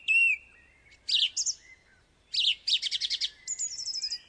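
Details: Song thrush singing, a bird that repeats each phrase of its song two or three times: high, varied whistled and scratchy phrases, with rapid repeated notes forming short trilled series, in a quiet background.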